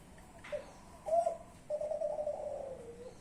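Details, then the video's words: Young spotted dove of Klantan type from a champion line: a faint short note, a strong hoot, then a long smooth coo that drifts slowly lower. "derkuku klantan muda trah juara"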